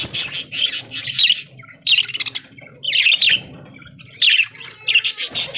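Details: Budgerigars kept in an aviary, eating corn in green leaves early in the morning; short bursts of harsh, buzzy chirping separated by brief pauses, several birds calling.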